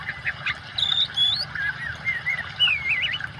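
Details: Oriental magpie-robin song used as training material for birds, mixed with running water: varied clear whistled phrases, rising and falling slurs and a wavy trill, over a steady low rush of water.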